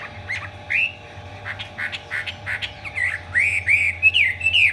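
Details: Spread-tail ('hót xòe') singing by a Chinese hwamei showing its eagle-wing display: ringing whistled slurs broken by sharp clipped notes, building to a rapid rising and falling warble at the end, with a faint background hum.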